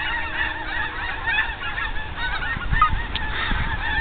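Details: Overhead geese at sunset give a dense, continuous chorus of honks from many birds at once, over a background of low rumble.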